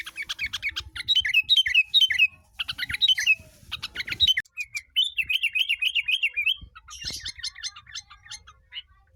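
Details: Hand-raised pet sooty-headed bulbul from Tegal, Indonesia, in full song imitating long-tailed shrike: bursts of harsh rapid chatter broken by short pauses, then a rolling series of wavering whistled loops, ending in scratchy notes.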